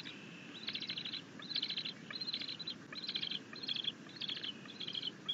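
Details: Bald eagle at its nest on June 10, 2021, filmed by a nest camera as the mother delivers a rabbit and the eaglet claims it; clusters of high chirping notes are repeated about every half second over steady background hiss.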